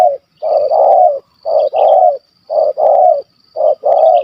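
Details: Spotted dove in Malaysia, a big-voiced stutterer with a kuk 1 2 call, heard very close during a hunt: four quick phrases of a short note followed by a longer rough coo, evenly spaced.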